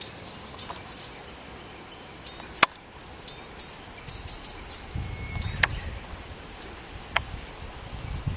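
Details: Japanese tit sounding a string of piercing high phrases. Clusters of quick chirps each end in a shimmering higher note, repeated irregularly over eight seconds. Sharp clicks break in now and then, with a low rumble midway.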